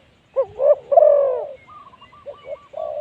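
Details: Captive decoy Spotted Dove at luring spot 136, calling to draw in wild spotted doves. A hooked note and a long hoarse coo come first, followed by a series of fainter, evenly repeated higher coos.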